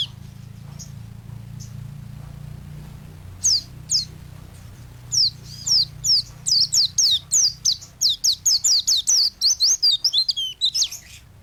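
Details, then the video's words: White-eye in energetic song, kept as a training master for songbirds: a low background hum, then from about three seconds a quickening series of high, downslurred chirps that grows faster and denser toward the end. "Burung pleci gacor untuk masteran burung"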